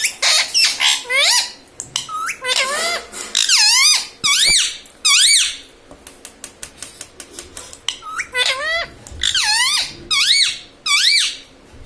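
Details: Pet ringneck parrot indoors repeating mummy, papa and radhe radhe; a long series of loud, nasal, wavy squeaked syllables in bursts, with a patch of rapid clicking chatter in the middle.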